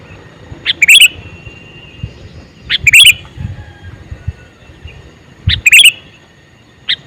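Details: Male sooty-headed bulbul calling: three bubbly phrases of quick chirped notes spaced about two seconds apart, plus a short single note at the end, with faint low knocks in the background.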